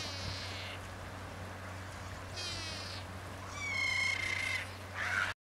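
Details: Mallard (Anas platyrhynchos) at Nimnica, Púchov, Slovakia gives four harsh, nasal, raspy bursts over five seconds, one with a thin whistled note running through it, over a steady low hum.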